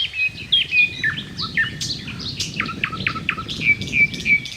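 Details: Thrush nightingale singing a powerful, varied song with slow, solemn phrases separated by pauses: clear sustained whistles, sharp falling notes and clicking elements, all high-pitched over a faint low rumble.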